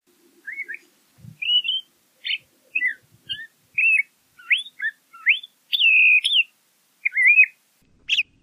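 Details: Song of a LeConte's thrasher: a varied string of whistled and slurred phrases, some rising, some falling, one longer warbled note near the end, spaced by short gaps.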